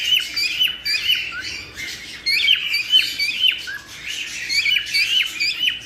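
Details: Cockatiel song used to encourage breeding: rapid, busy chirps and squeaky whistles, many overlapping, coming in loud clusters about two per second and separated by short softer gaps.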